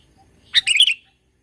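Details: Sooty-headed bulbul in the mountains, used as a trapping lure: one short bubbly chirping phrase of a few quick, slightly rising notes, then silence.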